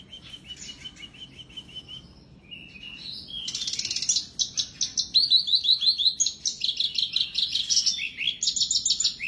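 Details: Black-browed reed warbler singing vigorously, played as therapy for birds that stopped singing: a soft, evenly repeated trill, then loud, rapid, varied chattering phrases of scratchy notes and high whistles that jump up and down in pitch.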